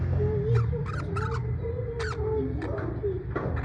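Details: Parrot in a good mood in the USA giving a long, wavering mid-pitched whistled tone, broken by several short, sharp harmonic notes, with a constant low background hum.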